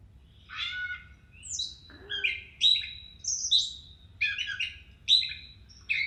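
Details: Gray Catbird song heard from its beginning: a rambling string of squeaky, scratchy and whistled phrases, each different, about one a second, with no other sounds.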